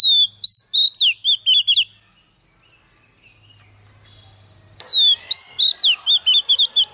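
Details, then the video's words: Oriental magpie-robin female used as a decoy to provoke males, delivering two bouts of varied whistled phrases, falling sweeps and short chipped notes, separated by a quiet gap with a steady high hum. "CHOÈ THAN MÁI MỒI HÓT KÍCH TRỐNG ĐỈNH CAO"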